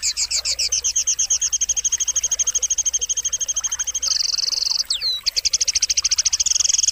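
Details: High, rapid trilled sogon song meant to spur silent birds into singing: long even rattles of repeated notes, a brief buzzy stretch and a short twisting whistle, then the pulsing trill resumes.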